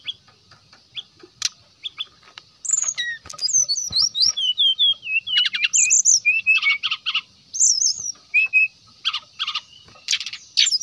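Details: Brown-chested jungle flycatcher in full energetic song, a lure meant to call out rival birds: a dense, rapid stream of high slurred whistles, sharp chips and buzzy trills, varied phrases with brief pauses, after a few scattered opening chips.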